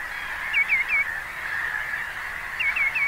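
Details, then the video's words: A common greenshank (Tringa nebularia) gives two bursts of its ringing, down-slurred triple call, tew-tew-tew, about two seconds apart, over a steady background hiss. "Greenshank 1h bird sound"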